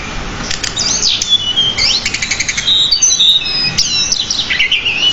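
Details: Pied bushchat singing continuously for song-training, with a varied stream of many borrowed notes. High whistled slurs and rising and falling sweeps mix with rapid clicking chips. The bird is in full, nonstop song.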